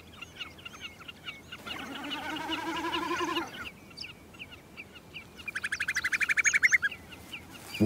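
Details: A Common Snipe in summer aerial display over a glacial plain gives a throbbing bleating hum produced by vibrating tail feathers, swelling about two seconds, then a fast loud chattering run, with many small birds chirping throughout.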